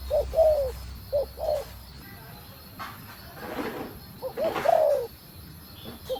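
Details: Female spotted dove cooing to arouse a male, giving three soft phrases of short notes leading into a drawn-out descending coo, with a brief rustling, scraping noise between the second and third phrases.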